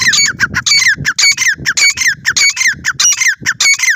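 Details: Grey francolin in a fight, calling rapidly and loudly with a dense, regular string of harsh, ringing, descending-then-rising notes, nearly two per second.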